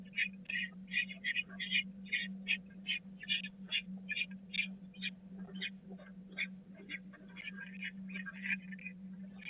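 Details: Peregrine falcon chicks at the Catharinakerk nest on 16 April 2019 rush to be fed, the smallest being skipped. They give high, harsh, rasping begging notes in quick, uneven bursts, about two or three a second, over a steady low electrical hum.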